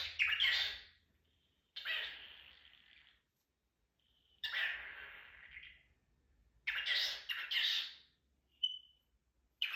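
A cockatiel gives harsh, raspy bursts in quick pairs, with a brief clear whistle between them.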